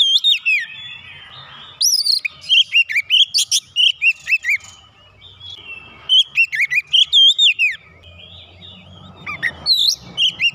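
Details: Magpie-robin provoked into heated singing, a long stream of loud varied whistles, slurred notes and sharp chirps in repeated bursts, over a faint low hum.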